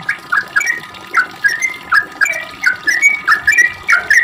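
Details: Sooty-headed bulbul in long, rapid 'ropel' song used as bait to make other bulbuls answer: bubbly, whistled two- and three-note phrases, mid-pitched, repeated about twice per second with slight upward slurs, faint clicks behind.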